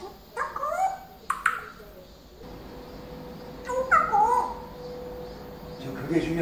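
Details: Indoor pet parrot, lately acquiring many new words, gives a few drawn-out, wavering speech-like phrases with sliding tones, with quiet gaps between them and a faint steady hum behind.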